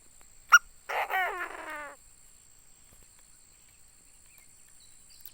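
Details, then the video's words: A single harsh, buzzy, stacked phrase of about one second, with notes sliding up and down, comes from a tame Chinese francolin kept as a decoy bird. A sharp click comes just before it, and quiet follows. "Tiếng chim đa đa mồi gáy hay thuần đét"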